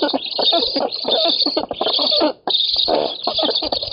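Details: Nest of black storks in an oak, Poland, 7 August 2018, birds competing for fish. Harsh, high squealing comes in a rapid stuttering series of rough pulses, with one brief silence just before the midpoint.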